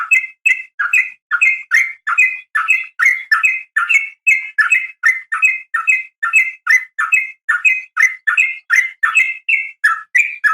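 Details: Sooty-headed bulbul female calling a male with a continuous string of bright, clipped chirps, each pairing a lower and a higher note, delivered at a brisk, slightly uneven pace.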